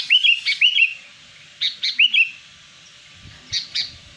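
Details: Lure call of a sooty-headed bulbul, played to draw in wild birds: clusters of two or three quick, liquid, looping whistles separated by pauses, with a faint low rumble in the background.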